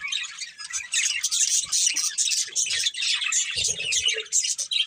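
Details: Chirping from a budgerigar breeding pair: pulsing bursts of high, rapid twitter and scratchy warble rising and falling in loudness, with a few faint low sounds between.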